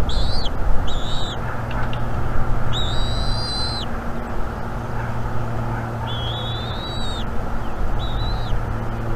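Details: Young female bald eagle on a nest cam in North East Florida, morning of 17 March 2021, chirping to beg for food as the father brings fish. Thin, high, whistled chirps in about five short bursts over nine seconds, above a steady low rumble.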